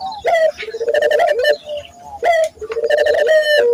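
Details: Local Barbary doves cooing, used as a lure to train other local doves to coo often: a short rising opening note, then a rolling, pulsing coo that sags at the end, given twice with a sharper high note between.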